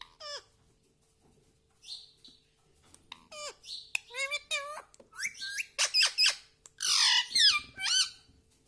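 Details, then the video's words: Household pet parrot that speaks the words mummy, papa and radhe radhe; a lively string of high, swooping, voice-like syllables building into dense rapid chatter and harsh notes toward the end. "parrot talking mummy ||papa bolne vala Mithu ||radhe vala Mithu"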